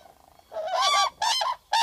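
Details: Common crane giving three loud, rolling trumpeted calls in quick succession, the last cut off, with fainter, more distant crane calls just before; filmed from a photo hide in southern Sweden in April 2014.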